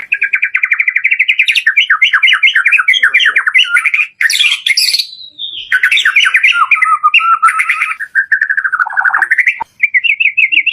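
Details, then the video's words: Lure song of a white-rumped shama in full variation, meant to encourage caged birds to sing: rapid chattering bursts, harsh squawky notes, a sliding whistle, then renewed quick trills after brief gaps. "SUARA PANCINGAN BURUNG MURAI BATU DOOR FULL VARIASI"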